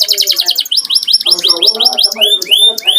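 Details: Home canary singing for company over coffee: pulsing buzzy rolls give way to rapid repeated arching whistled syllables, bright and high-pitched throughout.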